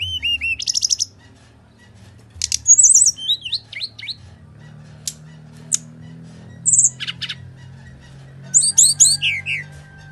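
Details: Bali myna in full fighting-mode song, used as a lure to prompt reluctant birds to sing: scattered bursts of high chirps, rapid trills and sweeping whistles, separated by pauses, with a low background hum.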